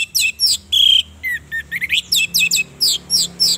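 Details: Female orange-headed thrush, used as a lure to stir males' mating urge and get them singing, delivers a busy run of high, sharp, rapidly repeated notes with one long steady whistle near the middle.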